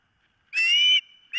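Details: Osprey at the nest, nest camera, 4 September 2023, morning: one sustained clear whistle lasting about half a second, followed by the start of another.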